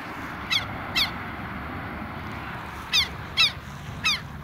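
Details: Southern lapwing pair near their nest, acting bold and calling a lot: five harsh, downward-arched calls with rich harmonics, spaced unevenly in two bursts, over a steady low background rumble.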